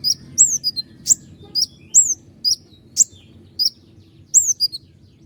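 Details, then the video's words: High slurred whistles falling in pitch, alternating with sharp vertical accents, about one phrase per second, from a common iora, konin gacor, whose sharp-accented song serves as a master for other songbirds. Low hum behind. "roll tembakan panjang dengan tonjolan tajam mewah dari konin gacor untuk masteran burung kicau lain"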